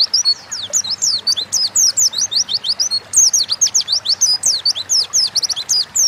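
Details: Fast, bright chattering song of an Oriental white-eye in gacor ngalas style, meant to coax birds into singing: dense, high, sweeping whistled notes rising and falling in quick succession, with almost no pauses.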